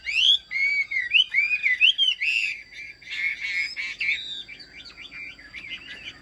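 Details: Chinese hwamei in a cage, noted for fine, well-ordered singing, gives looping slurred whistles that rise and fall in quick succession, merging into a rapid jumbled warble.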